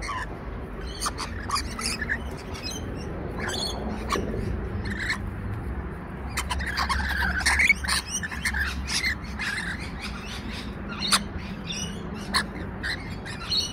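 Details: Rainbow lorikeets calling in the background while an adult pair plays and rolls on a lawn in Sydney, 29 July 2021: shrill, grating screeches in quick irregular bursts over a steady low rumble.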